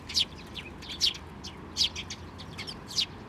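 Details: During chick feeding at a Tenmangu shrine on 22 May 2024, a sparrow gives loud sharp chirps about every three-quarters of a second, each followed by softer chirps, over quiet background.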